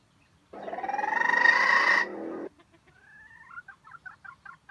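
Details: Red junglefowl, a wild chicken kept as bait bird in a trap, crowing: one harsh, buzzy call of about two seconds with a rising tone and a stuttering pulsed start, then soft clucks and chirps.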